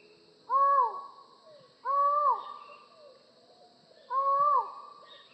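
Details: Three resonant, moaning calls from a collared forest falcon, spaced roughly one to two seconds apart, each flat and sustained then falling away, over a quiet background.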